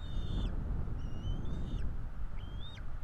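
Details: Bald eagle chick begging at a Florida nest while parents feed the two eaglets, 5 April 2022: three high whistled calls, long and level or slightly rising, each closing with a falling slur, over low rumble.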